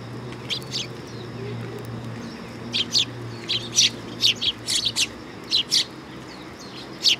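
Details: Sparrows at a Tenmangu shrine in Japan, visiting a raised platform, 3 September 2022. Short, sharp high chirps come singly and in pairs at uneven intervals over a low steady hum.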